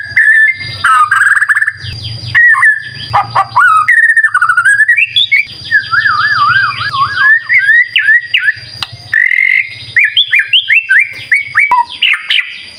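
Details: White-rumped shama in full, chatty lure song meant to make other birds answer: rich whistled phrases, slurred rising and falling notes, wavering trills and sharp upsweeps in quick varied succession, with faint low hum beneath.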